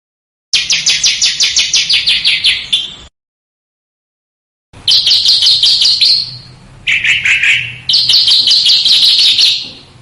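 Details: Master recording of small bird song for training competition cage birds: a quick high trill, then silence, followed by buzzy sustained phrases and a lower, rougher burst.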